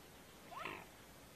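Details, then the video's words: A mute swan at Kopratamm, Estonia, 6 November 2017, gives a single short nasal call that rises then drops, about a quarter second long, against quiet background hiss. "sound from Mute Swan"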